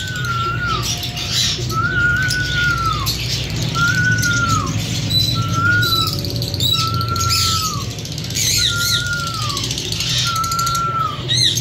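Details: A breeding pair of lovebirds sings in a steady series of drawn-out, downslurred whistled notes roughly every second or so, with a few sharp high chirps near the end and a low hum behind.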